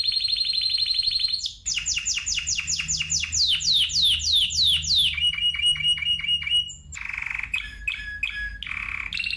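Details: Spanish timbrado canary: a rolling trill, a long series of loud downward-swept notes, a steady rapid trill, then short buzzy and metallic phrases, over faint low background hum.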